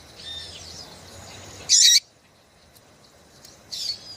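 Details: Female double-collared seedeater call used to get males singing: faint high whistled slurs, then a sudden loud harsh burst, a pause of near silence, and a second shorter rasping burst at the end.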